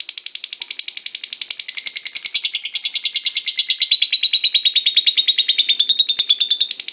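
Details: Lovebird in ngekek song, meant to lure other lovebirds: a continuous rapid rattle of sharp high notes, about three per second-fraction, sustained for nearly seven seconds with a gently wavering pitch.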